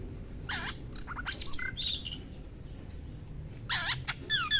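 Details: White-rumped shama singing while bathing; quick clusters of buzzy and sharp high notes with brief whistles, a pause, then another burst of harsh notes and rising slurs; low background rumble.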